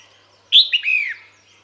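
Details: Female red-whiskered bulbul calling to attract males: one short bright burst, a sharp high note sliding into a slurred, descending warble that fades after about half a second, in a quiet setting.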